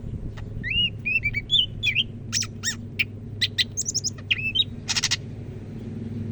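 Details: Greater green leafbird from Medan, North Sumatra, known as Cak Ijo, singing keenly: varied whistled slurs and chattering notes, then harsh buzzy rasping bursts, over a low continuous background hum.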